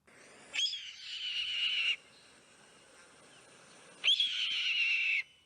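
A red-tailed hawk gives two hoarse, drawn-out screams, each just over a second long and about three seconds apart, harsh and slightly falling, over a faint hiss.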